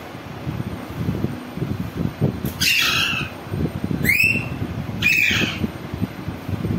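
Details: Green rose-ringed parakeet uttering three harsh, piercing screeches with a sharp upward sweep, about a second apart, against continuous low rumbling background noise.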